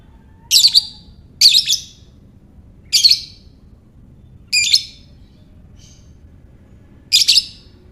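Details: Lovebird calling, used to lure other lovebirds into calling: five harsh, shrill, high chirping bursts, each under half a second, spaced irregularly over eight seconds with quiet pauses between, against faint low background hiss.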